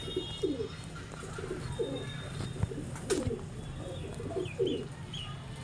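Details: Pigeons in mating display, a run of short low throaty coos in bursts, a few rolling notes about every second, over steady low hum with occasional taps.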